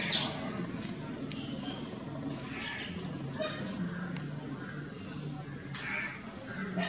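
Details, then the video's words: Greater racket-tailed drongo (Kakkatamburatti in Malayalam) calling in a garden in Kerala, giving harsh, raspy bursts a second or two apart, with sharp metallic clicks, murmuring voices and a low hum behind. "Greater racket tailed Drongo call, Kakkatamburatti in malayalam"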